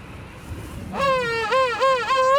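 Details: An adult king penguin returning to one of the world's largest king penguin colonies calls for its chick: a loud, brassy trumpeting with a rising note, then three quick wavering syllables, after a faint colony murmur and wind.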